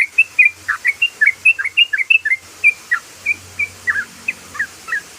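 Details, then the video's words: Sooty-headed bulbul giving a rapid run of short, bright whistled notes, rising and falling chirps delivered about four per second in a continuous chattering burst, with faint low background hum. "ROPELAN BURUNG TRUCUKAN❗❗❗SUARA ROPEL TRUCUKAN"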